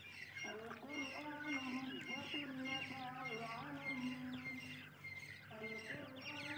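Grey francolin chicks give a busy chorus of thin, high peeping notes, many overlapping with quick rising and falling slurs, over a low steady hum.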